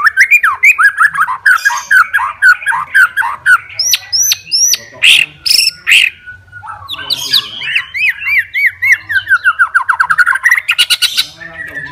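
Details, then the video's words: Challenging song of a white-rumped shama, a fighter bird meant to anger rival shamas, with rapid repeated arched whistles, sharp loud clicks and bursts, and a long rolling series of slurred notes. "CARI LAWAN,, MURAI BATU SUPER FIGHTER,, BIKIN LAWAN AUTO EMOSI BINGKAR MATERI"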